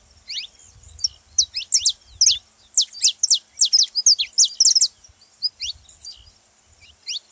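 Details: Saffron finch song for stimulating other canaries to sing: a burst of loud, sharp, high downslurred notes in quick succession, then a few spaced chirps, in a quiet setting.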